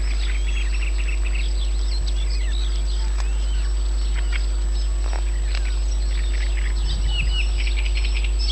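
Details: Bird chorus in Yanovka, Novocherkassk, 29 May 2017: scattered high chirps and brief warbled phrases from several birds, a few sharp clicks, and a low thud near the end, all over a steady hum.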